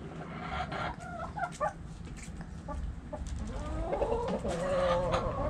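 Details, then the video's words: Backyard chickens in a coop: hens cluck in short bursts, then a rooster gives a long, drawn-out crow in the last seconds, over low rumbling noise. "Sounds Noises Hens Clucking Roosters Crowing!"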